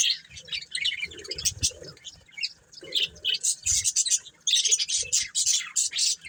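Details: Breeding pair of colourful budgerigars uttering irregular high tweets and scratchy chirps, some soft lower warbling notes mixed in, growing busier toward the end.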